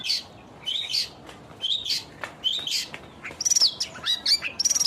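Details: Long-tailed shrike in full song: loud, rapid, scratchy chattering notes and high thin whistles, ending in fast rattling trills that sweep up and down.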